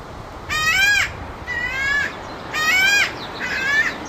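Hawaiian crow giving harsh, nasal, slightly rising caws, each about half a second long, repeated roughly every second over faint background hiss.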